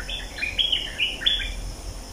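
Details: Bulbul singing in the breeding season, lured with a decoy late in the day near dusk; a short run of bright, bubbly whistled notes that rise and fall, over a steady insect hum.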